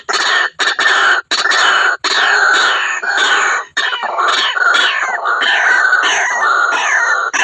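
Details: Lure recording of white-breasted waterhen: loud, rasping, nasal calls in long continuous runs broken by a few short pauses, each run made of quickly repeated harsh notes.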